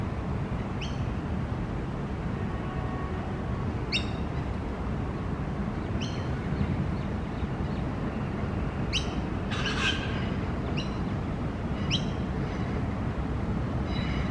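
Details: A young magpie, wandering and looking for worms, gives short, scratchy chirps every one to three seconds, with a brief harsher burst near the middle, over a steady low rumble of traffic.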